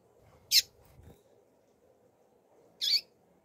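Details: Female rusty-collared seedeater, a Brazilian 'turbina' coleiro, calling: two short, sharp, high chip notes about two seconds apart, with a low hum and faint rustling beneath.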